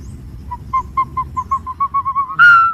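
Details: Accelerating string of short whistled notes from a green pigeon, each slightly higher than the last, ending in a strong, clear drawn-out whistle. Faint low rumble in the background.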